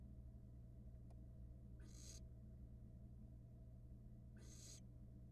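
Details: Barn owl nestlings in a Florida nest box, eating a rat; two broad hissing screeches under a second long, spaced about two and a half seconds apart, over continuous low humming noise.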